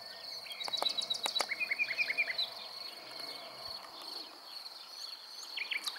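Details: A common nightingale near Montana, Bulgaria, on 23 May 2020 sings a brief phrase of sharp clicks and high notes, then a rapid run of repeated rising notes, over a steady high insect drone.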